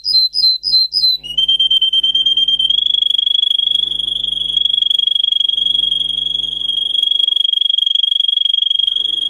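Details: Training song of a Russian singer canary: a few quick falling notes, then a long, even, rolling trill held at one steady pitch for the rest of the clip, with a faint low hum in the background.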